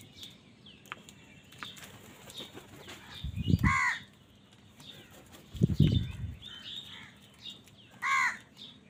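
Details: During a fight for food, low thumping flaps and scuffling sounds mix with a short, hoarse crow caw. A louder rasping caw follows near the end.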